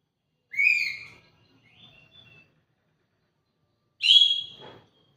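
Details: Orange-headed thrush, Kintamani type, singing: a loud downslurred whistle, a soft short warbled phrase, then after a pause another strong whistled note with a buzzy tail; otherwise quiet.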